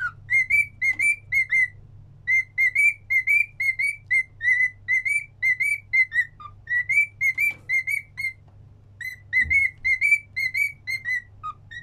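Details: A pet cockatiel repeats a whistled song three times, a long string of bright clipped notes, mostly level with occasional lower dipping notes marking phrase breaks, pacing near two notes a second above a constant low hum.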